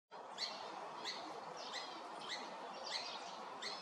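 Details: A blue-faced honeyeater at Hervey Bay, Queensland gives short, high, piping notes, about one every half second, over a steady background hiss.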